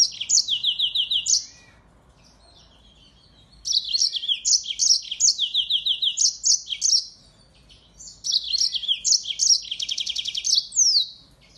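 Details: Singing finch known as yellow-fronted canary, used as a tutor for white-eyes, sings three high, rapid twittering bursts separated by pauses, the last ending in a fast buzzy trill.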